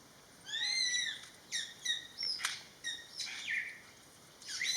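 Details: Greater Racket-tailed Drongo in a garden in western Thailand: rising, harmonic whistled notes, then sharp metallic clicks and a downward-sliding note, about six separate phrases in under five seconds with quiet gaps between.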